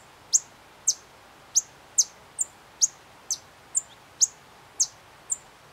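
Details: In Candói, Paraná, a White-vented violetear gives a series of piercing, very high chips, eleven notes spaced roughly half a second apart, alternating fuller and thinner notes over quiet background.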